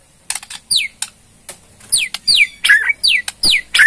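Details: Murai Borneo (White-rumped shama) ketrekan, a rattling call played to get other birds to answer: repeated harsh descending sweeps mixed with dry clicks, coming in fast, uneven bursts.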